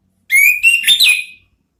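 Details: A single rich phrase from an orange-headed thrush in 'ngeriwik' chattering style, meant to lure the 'ngeplong' sound: a steady clear whistle that breaks into quick warbled, slurred notes before fading away.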